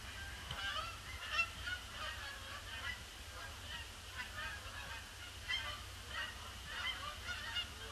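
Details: Large influx of Canada geese circling a pond before landing, grey winter Boxing Day; irregular overlapping honks throughout, some louder near calls, over a constant low background hum.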